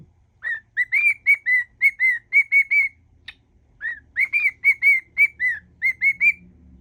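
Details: Whistling pet cockatiel performing its mash-up of songs, two bursts of rapid clear whistled notes, each slightly rising then falling, separated by a short pause, faint low indoor hum underneath.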